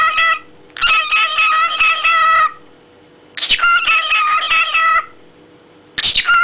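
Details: Singing cockatiel, a comical pet performance: two long warbled, harmonic phrases of roughly one and a half seconds each, with quiet gaps between them. A third phrase begins at the very end.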